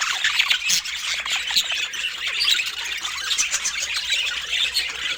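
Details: Captive budgerigars filmed in natural light, with dense high chirping and squawky chatter from several birds overlapping continuously, and no music or speech.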